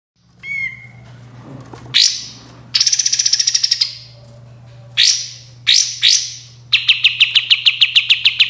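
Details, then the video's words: Sooty-headed bulbul song in a clear training recording for cage birds: a short whistle, then bursts of sharp high chattering, ending in a rapid run of repeated chips at about eight per second, over a steady low electrical hum. "masteran suara burung kapas tembak jernih"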